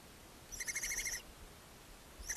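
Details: Barn owls at a nest box beside a chimney in Ságvár, Hungary, on May 4, 2024, as the mother feeds her seven owlets: a harsh, noisy hissing rasp lasting about three-quarters of a second, then another starting at the end.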